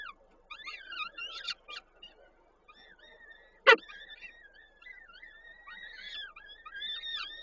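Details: Peregrine falcons at a nesting site in Koszalin, Poland, 13 May 2022, male bringing prey while the female feeds young; scattered arched calls early on, one sharp knock near the middle, then a run of softer drawn-out wavering wails.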